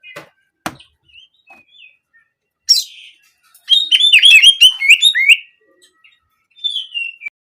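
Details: Oriental magpie-robin singing canary-like 'nembak' phrases used as therapy to get birds singing: sparse clicks and soft notes, then a dense two-second burst of rapid high whistles and a closing drawn whistle.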